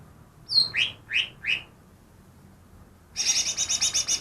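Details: Recently trapped greater green leafbird imitating other birds gives four slurred descending whistles, falls silent briefly, then launches into a fast high pulsed rattle.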